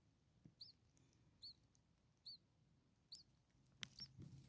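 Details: Common starling nestlings, six hungry chicks a few days old in a nest, make faint, high, arched squeaks roughly every second over a steady low hum and background noise, followed by a sharp click.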